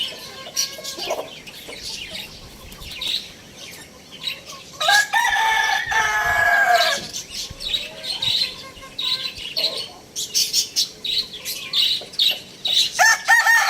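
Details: Lohmann Brown rooster crowing loudly: one long, hoarse, layered crow of about two seconds midway, surrounded by quiet clucks, then a rapid burst of high chirps and calls from other birds.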